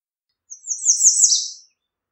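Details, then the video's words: One American redstart song: a soft high introductory note, then a fast string of thin downslurred notes rising in volume and ending on a lower, emphatic swoop, in otherwise quiet surroundings. "American Redstart Singing - Candelita Norteña Cantando"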